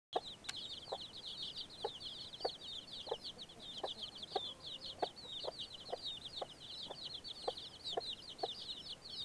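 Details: Baby chicks peeping: a dense, continuous stream of high, downward-slurred cheeps, overlaid by lower, soft clucking pulses roughly every half second.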